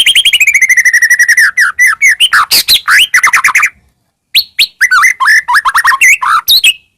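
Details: White-rumped shama song used as a lure for birds: opens with a rapid trill of repeated notes, then loud varied whistles and harsh chatters, a short silence, and more sliding, upswept whistled phrases.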